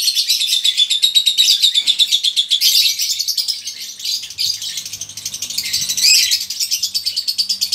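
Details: Colony lovebirds of the konslet type, both sexes, in ngekek song used as a prompt for other birds. Fast, regularly pulsed, scratchy chatter is mixed with a faint low hum in the background.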